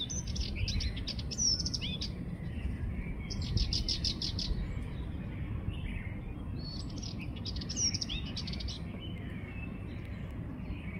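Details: Sardinian warbler singing in bursts of rapid, scratchy chattering notes mixed with short sweeping whistles, phrases separated by brief pauses, over steady low rumbling background noise.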